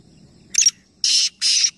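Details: Black francolin from a three-bird calling contest at Nawabshah, Pakistan, giving a rough crackling note followed by two long, loud, rasping buzzes.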